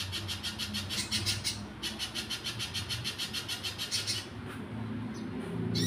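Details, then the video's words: Energetic Little spiderhunter song, quick bursts of sharp, high repeated notes that break off briefly and restart, with a low rumbling background hum. "pijantung pisang gacor"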